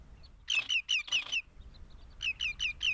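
Hamerkop giving high, squeaky yipping notes that slide downward, several in quick succession, then a pause and a second run of four.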